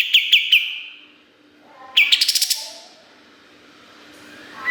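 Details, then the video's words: Kapas tembak song in a busy, sharp-filled style, recorded as master material for training songbirds. A quick burst of three sharp chirps is followed by a pause, then a fast rattling run of high notes, with a rising whistle at the end. "Masteran Kapas Tembak Gacor Nembak Isian Tajam Full"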